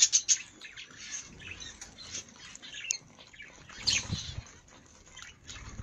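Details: Budgerigars of various colours kept in an aviary, sharp squawks at the start then steady busy chirping and warbling from several birds, with a louder burst near the middle and light wing flutters.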